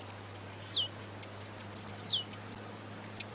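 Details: Female blue-black grassquit calling, used to stimulate males: very high sharp chip notes at irregular intervals, plus two thin whistles sliding steeply downward, roughly a second apart, against a steady low hum.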